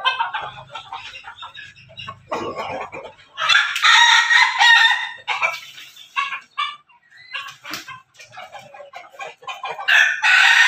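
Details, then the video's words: Backyard-farmed chickens, a cross of Pelung, Bangkok and Ketawa breeds, crowing. Scattered clucks lead to a loud, long, harsh crow at mid-clip, followed by more clucking and a second crow starting at the end. "ternak ayam di halaman belakang hasil persilangan pelung bangkok ketawa berkokok"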